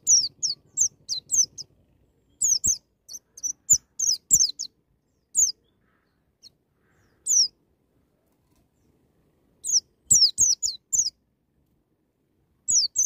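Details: White-eye singing wild "ngalas nembak" style to encourage young birds to sing: bursts of high, quick descending whistled notes, some clustered rapidly and others spaced out, with clear silent gaps between bursts.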